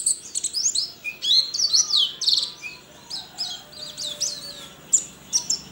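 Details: Online-contest white-eye from Sambas, West Kalimantan, produces a lively stream of high chirps and twisting slurs, busy at the start, thinning into spaced squeaky notes later.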